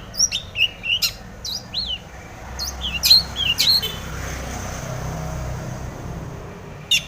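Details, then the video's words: Long-tailed shrike singing vigorously with mimicked fill notes, used to provoke other shrikes into song: sharp high chirps and downward-sweeping whistled notes in quick bursts, then a pause, over a steady low rumble of traffic. "SUARA cendet gacor full isian TOMICENG pancingan cendet agar bunyi"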